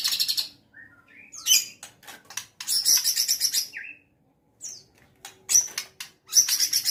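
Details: White-rumped shama in full song, prepared for a field contest, alternating loud high rasping bursts with short sliding whistles, sharp ticking notes and brief pauses, delivered in uneven energetic runs.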